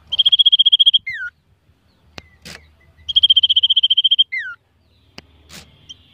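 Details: Common iora being warmed up before a song contest to provoke it, singing a rapid high trill of about a second, then a short falling whistle, given twice; a few clicks and faint knocks between phrases.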